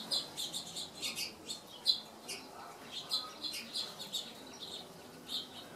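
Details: A Gila woodpecker (Melanerpes uropygialis) gives short, high, chirping call notes, two or three a second at an uneven pace, over a faint low background hum.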